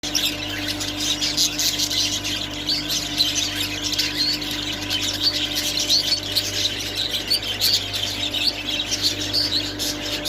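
A budgerigar's continuous, scratchy chattering warble during mating, over a low steady hum.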